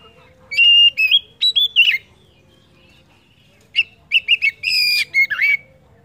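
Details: Oriental magpie-robin song played as a lure to prompt other birds to sing: two bursts of loud, clear whistled notes and short slurred phrases, separated by a quiet pause of almost two seconds.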